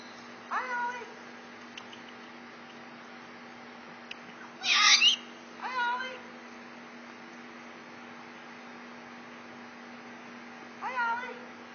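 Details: Pet bare-eyed cockatoo showing off, captive indoors: four separate vocalizations over twelve seconds. The short squawks are nasal, wavering and harmonic. A louder, harsh broadband screech comes near the middle. A steady low electrical hum runs underneath throughout.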